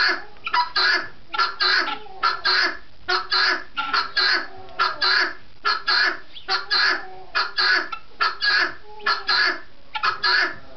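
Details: Guineafowl at a farm in New Hampshire giving harsh, grating calls in quick, steady pairs, over and over.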